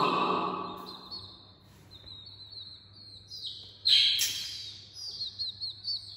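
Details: Small chicks in the early morning: high, thin peeps with downward-sliding notes, heard as a steady chirping run and then a louder burst of chirps near the end, over a faint low hum.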